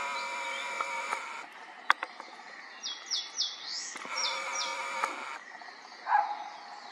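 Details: Eastern crowned warbler stopping over on migration in northern Yokohama, Japan: a quick run of short, high, thin notes, each dipping then rising, sung in a brief phrase, followed by quiet background and a single lower note.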